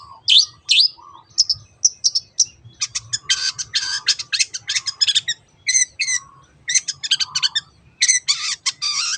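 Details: Long-tailed shrike 'teot teot' singing used as a lure for other birds: a few sharp whistled notes, then grouped runs of grating, rattling high bursts with short pauses.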